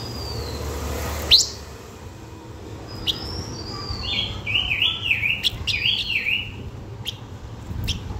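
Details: Blue-winged minla singing to draw in birds: a sharp rising note, a thin high whistle, then a run of rapid up-and-down warbled notes with scattered clicks, over a quiet low rumble.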